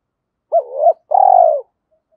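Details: Spotted dove lure call in the thổ voice: a wavering two-part coo followed by a long trembling, slightly falling coo, close and clear with no other sounds.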